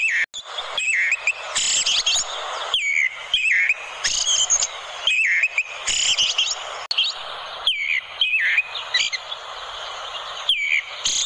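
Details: Orange-headed thrush singing sweetly as a tutor recording: a busy stream of high whistled phrases, dipping and rising slurs repeated every second or so, almost continuous over steady hiss.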